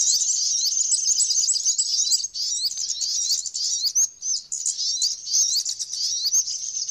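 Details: Flowerpecker song made of rapid, high, squeaky twitters and fine chirped slurs in a dense, continuous stream, with a few brief gaps and clearer whistled notes later on.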